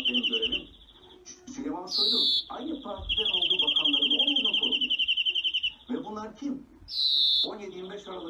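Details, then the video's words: European greenfinch singing: long, even, rapidly pulsed trills alternate with a loud, buzzy, descending wheeze, repeated through the passage, while a man talks steadily underneath. "Greenfinch Song"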